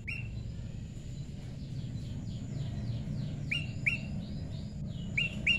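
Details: Wild Prinia in pairing, soft descending chirps early on, then a burst of loud upswept notes repeated in quick pairs near the end, over continuous low rumble.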